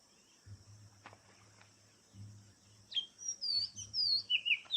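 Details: Oriental magpie-robin singing: a low hum and soft thumps come first, then a burst of high, sweeping whistled notes rising and falling near the end.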